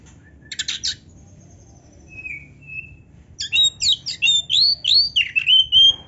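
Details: Oriental magpie-robin in full song: a scratchy burst and soft thin whistles, then a loud run of about nine rapid, bright whistled phrases sweeping up and down, each separated by short gaps.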